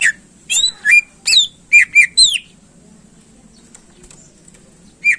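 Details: Greater green leafbird song meant to rouse contest birds, with a fast series of bright slurred whistles and sharp chips over about two seconds, then quiet, then one more whistled note.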